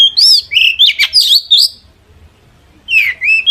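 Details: Long-tailed shrike song to provoke a reply from other shrikes, a run of loud slurred whistles and harsh notes, a short pause, then more wavering whistled phrases.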